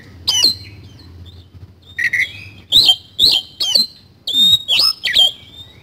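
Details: Kacer, the Oriental magpie-robin, singing 'isian kasan' material: a string of separate loud, high whistled phrases and harsh bent notes, roughly one every half second, over a low background hum.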